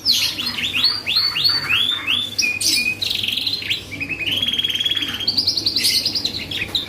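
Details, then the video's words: Canary song used as a lure to provoke other birds into answering: a run of rising whistled notes, then long buzzy rolling trills at steady pitch, ending with sharp chirps, low hum behind. "PANCINGAN BURUNG KENARI GACOR || BONGKAR ISIAN LAWAN || FAST RESPON 100%"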